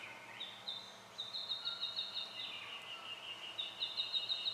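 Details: Spotted quail-thrush recorded in Victoria, Australia, in January 2012: a rapid series of thin, high whistled notes about three per second, over steady background hiss.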